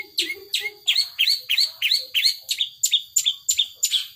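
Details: Caged long-tailed shrike singing in the 'power sobek' style: harsh, sharply descending chattering notes repeated about three times a second in a steady, energetic run, with a faint thin tone held high above.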